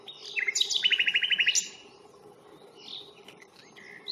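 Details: Common nightingale singing on a reserve at Fingringhoe on 1 May, filmed with a Panasonic Lumix FZ82: a quick upslurred note, then a fast, even rattle of about ten clipped notes. Softer chirps follow, with low background hum.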